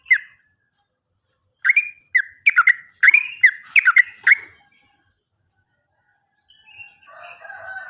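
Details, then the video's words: Sooty-headed bulbul, a lure recording for jammed or raw birds, giving a burst of short, bubbly, rising notes around two seconds in, repeated rapidly for about three seconds, followed by silence and a faint softer warble. "PANCINGAN BURUNG TRUCUKAN MACET BUNYI ‼️ bisa juga untuk burung Trucukan bahan"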